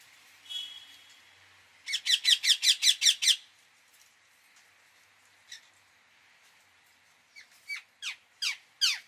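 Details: Indian ringneck parakeet calling: a fast burst of about eight harsh, buzzy squawks near the start, a lone note midway, then five spaced downward-sweeping shrieks toward the end, in a quiet room.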